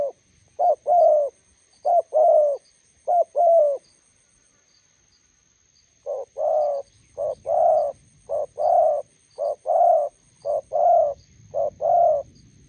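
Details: Spotted dove in Gia Lai, Vietnam, a decoy bird meeting a wild bird at a roadside trapping spot. It gives repeated paired coos, each a short note then a longer mellow one, in two bursts with a pause between, plus faint high chirps.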